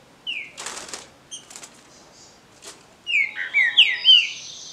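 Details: Captive-bred green-winged saltator singing in a song contest. A single whistle and several soft flutters or rustles come first. A rich phrase of clear, downward-slurred whistled notes follows near the end.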